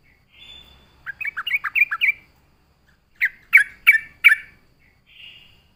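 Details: Yellow-vented Bulbul in full voice, a lure song for drawing in other bulbuls. A quick warbled run of six notes, a silence, then four sharp, clipped chirps and a faint thin note at the end.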